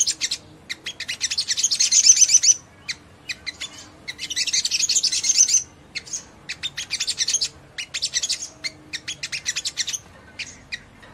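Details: Little spiderhunter (sogon) singing energetically in the gacor style to provoke other sogon into quick responses; dense high-pitched chirps in rapid bursts of about two seconds, separated by short pauses, then scattered quick notes.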